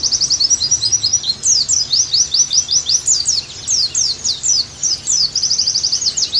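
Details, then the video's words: Lively, continuous high-pitched twittering of an Oriental white-eye in a recording for training kept birds: evenly paced slurred chirps with a few short pauses and a quick trill at the end. "Terapi + Masteran Agar Pleci Gacor Kembali"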